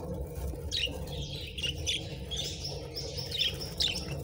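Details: Budgerigars kept as pets chirp while eating treats, scattered short high chirps and brief warbled notes spread through the clip, with quiet background clicking.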